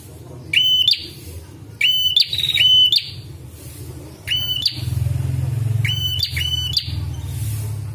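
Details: Prinia with a red head, recorded for training and luring birds: a series of strident whistled notes, some paired and some single, each rising briefly with a harsh overtone, repeated over a continuous low droning background.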